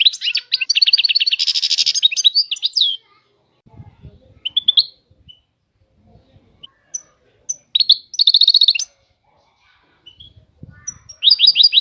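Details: European goldfinch song in bursts: rapid high twittering notes and a buzzy trill, broken by pauses of several seconds with faint low knocks and rustles between phrases.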